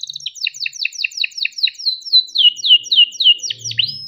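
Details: Energetic 'gacor' canary song in the 'cuit cuit ngerol' style, meant to prompt other canaries to sing: rapid high chirps repeated several times a second, then slurred descending notes ending in a sustained whistle.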